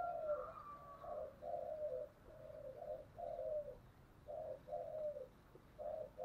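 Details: Spotted dove in the 'giọng thổ' deep-voiced style, heard quietly. Short, low coos in an uneven string, roughly paired, over a hissing background.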